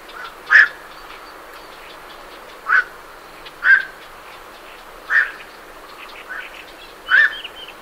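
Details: Night herons calling as they leave their roost, recorded fairly close: five short, harsh, croaking single notes at irregular intervals of one to two seconds, with faint chatter from great reed warblers in the background.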